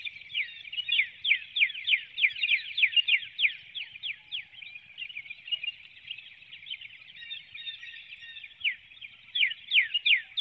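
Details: Webcam recording before dawn on 12 April 2019 in a Hanover, Pennsylvania woodlot, where a female bald eagle calls as she vacates the nest: a long, fast string of high, descending chirps, briefly softening midway before resuming strongly.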